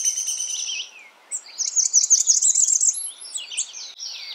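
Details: A Blackburnian warbler sings a rapid string of high, thin, buzzy zips. Other high chirping birds overlap the start and the finish.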